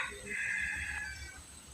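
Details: Red junglefowl being trained as a decoy, the only one of two crowing repeatedly: a single hoarse, sustained crow of about one second that fades out at the end.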